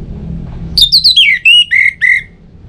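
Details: Orange-headed thrush phrase for prompting other birds to sing: about eight loud whistled notes stepping down in pitch, some slurred, after a brief stretch of low background noise.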